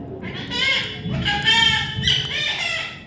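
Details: Baby parrot being tamed, giving harsh, rasping squawks rich in overtones, three drawn-out cries that rise and fall in loudness over a low background rumble.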